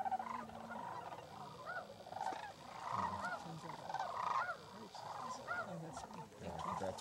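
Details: A very large flock of sandhill cranes, passing through in late January as every year, gives loud, rolling, bugling calls that overlap continuously, with faint human voices underneath.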